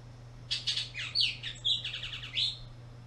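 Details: Bullock's oriole in a park during spring migration, present April to July: a quick run of harsh chattering notes and slurred downward slides for about two seconds, with a short rattled burst near the end, over a steady low hum.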